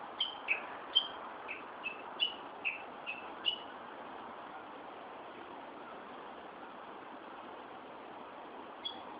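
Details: Bird in Tokyo, Japan, recorded 1 June 2013: a series of short high chirped notes for about three and a half seconds, then one more after a pause, over a steady broad hiss of background noise.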